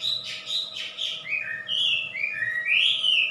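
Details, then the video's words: Loud wambi song: a few rapid rough notes followed by long, clear whistled slurs that rise and fall, over a constant low electrical hum. "Suara Burung Wambi"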